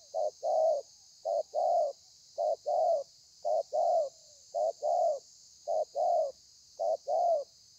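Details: Spotted dove, wild-caught, calling in the thổ pha style on 30/11/2020: evenly spaced pairs of mellow coos, a brief note leading into a fuller, longer one, about once a second.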